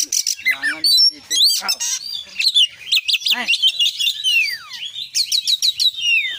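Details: Oriental magpie-robin singing vigorously in full-isian style. A dense, varied stream of high whistles, rapid trills and descending buzzy slurs, with a few lower rattling notes.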